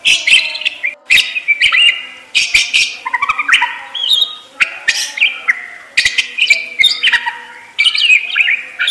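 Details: Energetic parakeet song with rapid chirps, stepped warbles and scratchy clicks packed into near-continuous phrases, only very short breaks throughout.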